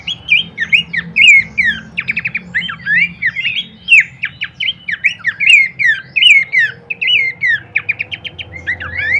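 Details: Abbott's babbler, used as a lure and master recording for training songbirds: a dense run of short whistled, chattering notes sliding up and down, several overlapping, with a faint low hum underneath.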